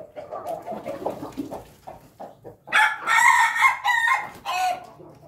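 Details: Pelung chicken crowing: after clucking and chatter from several birds, a loud, harsh, harmonic-rich crow rings out for about two seconds in bursts, then trails off with background clucks.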